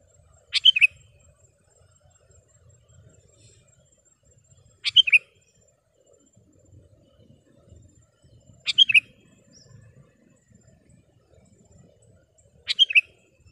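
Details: Vigorous kutilang, sooty-headed bulbul, repeating a short three-note liquid phrase roughly every four seconds, four times, over faint low background rumble.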